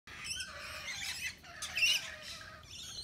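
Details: Rainbow lorikeets, native Australian birds, at a balcony nectar feeder serving wet lori mix; harsh, buzzy screeching calls overlap throughout, high-pitched and grating, with a louder squawk near the two-second mark.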